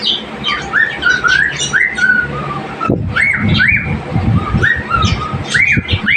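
A cockatiel whistles a learned tune of clear, rising and falling notes over household noise.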